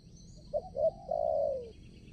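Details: A single phrase from a spotted dove kept as a lure for trapping wild doves: two short soft notes, then a sustained, gently falling coo, with insect buzz in the background.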